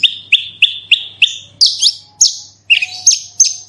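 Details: Horsfield's bushlark singing as a lure for other bushlarks, 'roll tembak' style: a series of sharp, evenly spaced rising chirps on one pitch, then higher, longer whistled notes and buzzy bursts. A faint low hum runs beneath.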